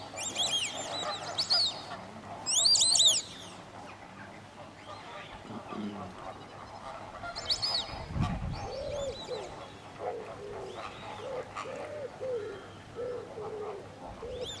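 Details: White-faced whistling duck at WWT Slimbridge: bright, high whistled notes in short rapid runs during the first few seconds, then sparser whistles, while lower honking calls from other waterfowl repeat through the second half.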